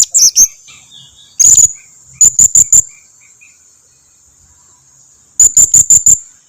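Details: Lure call of a blue-crowned hanging parrot to make other birds respond: quick bursts of three to five shrill, high, evenly spaced squeaks separated by silent gaps, over a persistent high-pitched drone.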